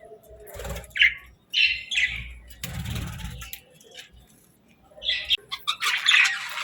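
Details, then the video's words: Several short, high chirps come from happy budgies eating their favorite food, with a soft low rumble and rustling in the middle, then a denser cluster of chirps at the end. "Happy Budgie Sounds | Budgies Chirping & Eating Sounds"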